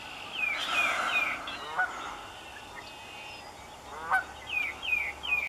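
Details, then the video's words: Canada goose at Raymond Brook Marsh, Amston, Connecticut, in cold air: loud, nasal honks, often doubled with a rising-then-falling inflection, in quick bursts with short pauses between. "Canada Goose calls"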